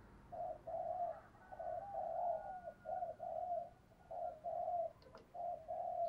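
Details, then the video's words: Spotted dove decoy bird cooing to encourage other doves to call; a steady run of soft, low, mellow coos in short groups, heard through a hissing, noisy background with a faint click near the end. "Chim Cu gáy Thúc Gù Căng Đét - Chim Cu Mồi"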